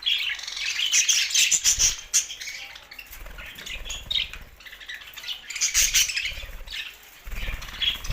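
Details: Budgerigars in happy song: dense, continuous scratchy warbling and chirruping, with recurring low fluttering wingbeats and a few sharp clicks throughout.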